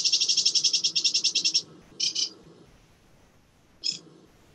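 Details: Sedge warbler singing, a jazzy songster with changes in tone, pace and pitch plus some mimicry, in Sussex. A fast run of about fifteen rapid buzzy notes gives way to two separate harsh chattering phrases, with a soft low murmur underneath.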